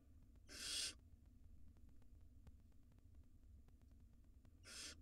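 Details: Two wild barn owl nestlings swallowing rodents inside a nest box; two brief, fairly quiet raspy hisses about four seconds apart over steady low hum.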